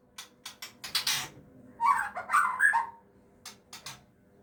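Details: Captive-bred white-rumped shama (murai batu Aceh) with a parent feeding its chicks: several dry clicks and rustles, then a tight cluster of harsh, harmonic squealing notes lasting about a second, followed by more clicks.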